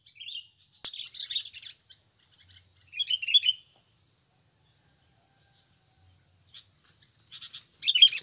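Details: Sooty-headed bulbul lure call used in trapping gives short bursts of bright, chattering chirps, about four phrases with pauses between, over a steady thin high-pitched hiss.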